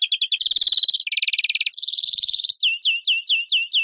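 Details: Continuous European greenfinch song: rapid chirps run into dense, buzzy, rolling trills and a wheezy stretch, then finish with a steady row of downslurred notes about every quarter second.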